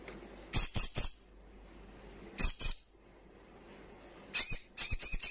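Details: A crimson sunbird sings loudly in ngalas style, intended to rouse breeding condition and aggression in untrained birds: clusters of two or three sharp high notes separated by pauses, ending in a stuttering high burst.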